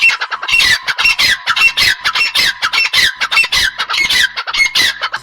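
Francolins give harsh, grating squawks in rapid bursts, nearly two a second, with overlapping scratchy notes that suggest several birds calling together.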